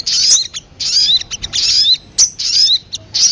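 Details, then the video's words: Brief high sogon calls for luring birds: short bursts of sharp chirps with slurred whistled notes, repeated about once a second. "PANCINGAN SUARA PIKAT BURUNG SOGON PALING DI CARI"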